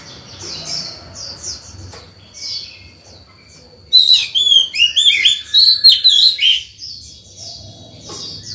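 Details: White-rumped shama singing in the morning to call other birds and train young birds: soft repeated chip notes, then a loud, varied three-second cascade of whistles, trills and warbles, fading to quiet chips again.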